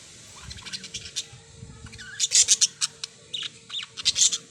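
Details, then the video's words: Parrots chirping with soft clicks at first, then loud, harsh, rhythmic squawks in two bursts separated by a short quieter spell. "beautiful parrots | birds | chirping"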